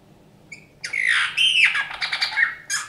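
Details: Captive Eurasian bullfinch, rescued injured and frozen from a snowdrift on 27 January 2019, sings its 'folk songs': a soft whistled note, then a dense burst of creaky, squeaky, grating phrases with a final sharp squeak.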